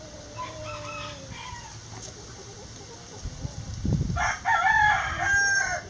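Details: Backyard chickens in a coop, heard as several short harmonic clucks and squawks near the start, followed by louder, harsher bursts of calling with broad harmonics toward the end, over a steady low background hum.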